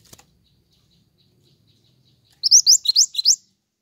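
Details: Lively pied triller used to lure birds and train songbirds: a faint click, a pause, then a brisk string of about six high, upward-sweeping whistles delivered in around one second.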